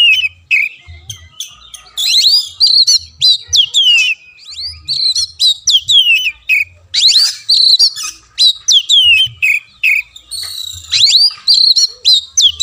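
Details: Long run of Oriental magpie-robin song meant to stimulate a silent caged bird: loud varied whistles, slurred notes and harsh buzzes, with a faint low hum underneath.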